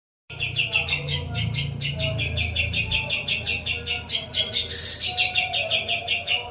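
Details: Kapas tembak, kept as a master tutor bird for white-rumped shama (murai batu) and other contest birds, singing sharp, dense, rapid notes repeated about four to five times a second, high and ringing, with a low background hum.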